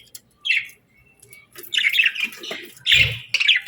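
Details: Parakeets kept as pets give separate bright chirps and squeaky warbles between short quiet gaps, ending in a louder cluster of chattering notes with a low thud.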